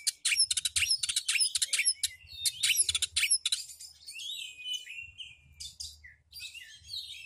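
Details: Oriental magpie-robin, a home bird, pouring out bursts of quick rattling trills, then softer rising and falling whistles and brief scratchy notes, with a low background hum.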